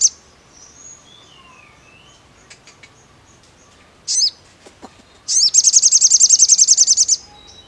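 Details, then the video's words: Sogon singing: scattered thin high notes and a loud buzzy phrase, then a fast, even, very high trill of rapidly repeated notes lasting nearly two seconds. "SUARA SOGON"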